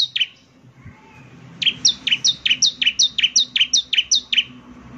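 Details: Singing bar-winged prinia in active form: a steady series of about twelve quick, high, downward-sweeping chirps after a brief opening note, evenly paced nearly three per second, with a soft low rumble behind.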